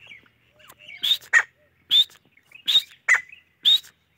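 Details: Grey francolin uttering spaced, sharp rising notes paired with lower grating syllables, each phrase about half a second apart.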